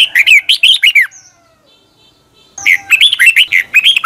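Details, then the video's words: Red-whiskered bulbul singing in the morning, a long double twisted-voice style used as lure song for training birds; two bursts of quick, loud warbled whistles, rising and falling notes, separated by about a second and a half of quiet. "Luyện chào mào hót sáng 2020, Quá hay Giọng kép xoắn dài hót căng lửa"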